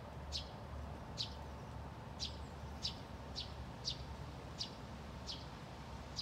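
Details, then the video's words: Two Eurasian tree sparrows calling in bushes behind a street in Haga on 24 August 2021. Short bright chirps are repeated roughly every second at a steady rhythm over a constant low rumble of distant traffic. "Pilfinkar lockar"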